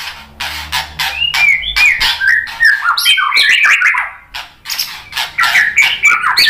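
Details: White-rumped shama singing to provoke other shamas: a dense rapid medley of sharp clicks, scratchy squawks and short whistled slurs, continuous and loud, with a faint low hum beneath.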